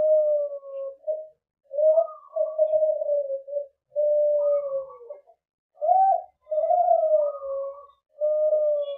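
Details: Young captive-bred Kelantan-type zebra dove singing in a duet with a juvenile Kelantan bird: long, drawn, low cooing notes with rising and falling inflections, uttered in phrases of one to two seconds separated by short pauses.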